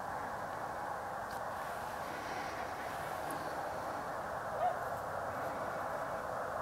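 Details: Huge flock of snow geese, around 125,000 birds, on Pungo Lake in Eastern North Carolina on January 5, 2011; continuous clamor of countless overlapping nasal honks, steady and unbroken, with a few faint clicks.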